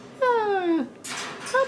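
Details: A young male pet cockatoo, about four years old, speaks while getting ready for bed: one drawn-out humanlike word sliding downward, then a breathy hiss and a brief clipped syllable.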